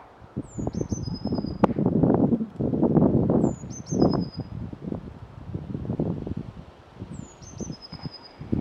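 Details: Song of a Eurasian blue tit, given three times at roughly three-second intervals: each phrase opens with a high, thin descending whistle, then a stuttered note and a quick, even trill, set against loud low rumbling and rustling noise.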